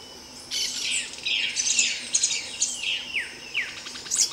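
Streaked Flycatcher giving a fast, high run of harsh, squeaky notes, several of them sharply downslurred, packed closely together for about four seconds.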